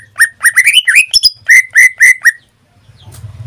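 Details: Greater green leafbird, a pet singing almost daily, pouring out a quick run of rising, slurred whistles followed by four evenly spaced clear notes, then low background hum.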